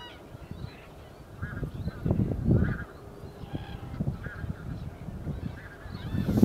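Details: Common cranes in winter, 1 February 2014: a flock giving scattered trumpeting and honking calls, some rising harmonic notes, over a steady low rumble with louder bursts near the end.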